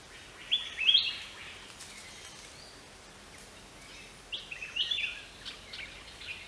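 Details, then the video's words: Greater racket-tailed drongo giving two similar phrases a few seconds apart, each a sharp high note climbing upward with ringing overtones, set against quiet steady hiss. "นกแซงแซวหางบ่วงใหญ่ (Greater Racket-tailed Drongo)"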